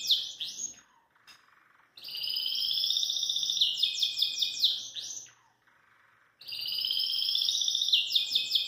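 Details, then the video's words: Belgian canary singing freely outside its cage indoors. Long, loud, rolling trilled phrases with fast rapid notes and descending slurs are separated by brief pauses. "ESTOU FELIZ COM MINHA SAÍDA e de ter cantado livre e solto"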